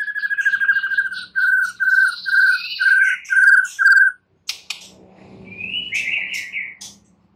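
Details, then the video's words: White-rumped shama delivering a series of clear whistled notes repeated about once per second, then a pause and a brief rising whistled phrase over faint background rumble. "Murai batu BISU diJAMIN NYAUT GACOR dan FIGHTER"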